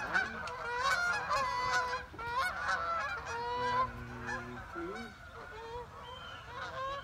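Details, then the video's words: Geese calling as they fly over a pond in the morning; strong honking chorus with many overlapping harsh, nasal notes, louder in the first half, a few lower drawn-out honks mixed in. "Another morning with geese overhead"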